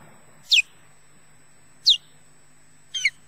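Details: Male osprey defending his mate and nest at Loch Garten, Scotland: three loud high chirps, the first two steeply falling slurs, the last a rougher broken note, spaced over about three seconds above a low hum.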